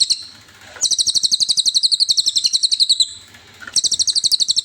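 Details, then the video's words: Cililin song used as a master recording for training songbirds: rapid, high, regular chirps about four per second, in two bursts separated by a short pause, with no other sounds. "MASTERAN 100%SUARA BURUNG CILILIN"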